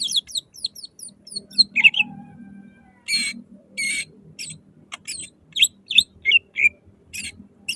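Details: Loud greater green leafbird (cucak ijo) singing in 'nembak' style to provoke other leafbirds: fast high chirps and slurred descending notes, dense buzzy bursts, then spaced sharp whistles, over a faint low hum.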